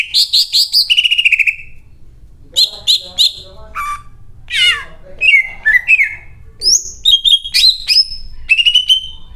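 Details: Caged greater green leafbird singing loudly, its song filled with imitated cililin phrases: rapid bursts of sharp high chirps, a buzzy trill, then varied whistled notes that slide and warble, pouring out almost without pause.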